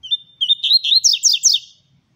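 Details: Double-collared seedeater warming up, a brief introductory chip then a level whistle leading into rapid, bright, sliding notes repeated about six times in a tight burst.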